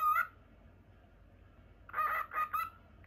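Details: Lutino cockatiel, a caged house pet, lets out one brief chirp, falls silent for over a second, then gives three quick harmonic squawky notes.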